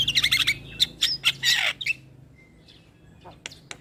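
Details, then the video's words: Starling singing to prompt caged starlings to answer: a dense burst of shrill chattering and raspy notes, then a quiet stretch with a thin whistle and a few scattered high chirps. "Terapi Semua Jenis Burung Jalak Sekali Putar Jalak Macet Bunyi Seketika Nyaut"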